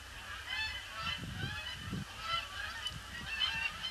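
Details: Canada geese arriving in a huge influx on a grey Boxing Day, circling the pond before landing; a chorus of harsh, layered honks rises and falls, with a few low thumps of handling or wind noise underneath.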